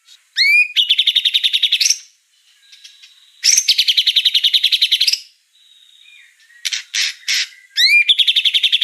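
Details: White-rumped shama singing energetically in bursts: a quick rising whistle introduces long, fast, buzzy trills of evenly spaced notes lasting over a second each, separated by short quiet gaps and a few sharp harsh notes.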